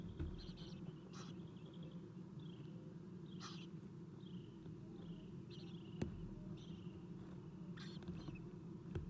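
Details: Eastern Screech-Owl nest box at 7:04 am on 4-11-2016, adult female feeding owlets: short raspy, hissy bursts repeated irregularly through the clip, some with a slight downward slide, a few sharp clicks, over steady low hum.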